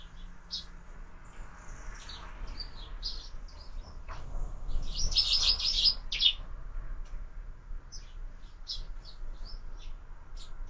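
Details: Sparrows feeding at a feeder on a window, breakfast: sporadic sharp chirps, swelling into a dense chattering burst around the middle, then scattered single chirps again.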